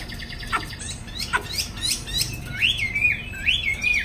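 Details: Afternoon song of a caged Chinese hwamei that is flapping its wings: a few dry clicks and scratchy notes, then bright, wavering whistled phrases that rise and dip in quick succession.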